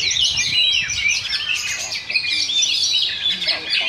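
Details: At a Sunday practice contest in Sindanglaut, Oriental magpie-robins sing in a duel: loud, unbroken cascades of high whistles and rasping chatter that swell and dip briefly midway. A low rumble of crowd noise sits underneath.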